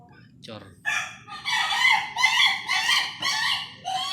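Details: Ayam Ketawa rooster of contest quality crowing in a rapid chain of bright, rich syllables after a short opening note, with a faint background hum.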